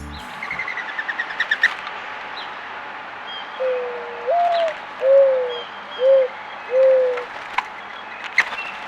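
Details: A Mourning Dove at a backyard feeder during snowfall gives four low, soft coos, the first rising then held, then shorter steady notes; this coo is mainly a male mating call given near a female; thin chirps precede it.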